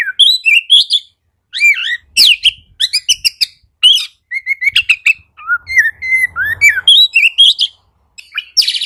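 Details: Oriental magpie-robin song intended to spur quiet caged birds: energetic whistles, rising and falling slurs, harsh chattering notes and a buzzy burst at the end, with faint low rustling in the background.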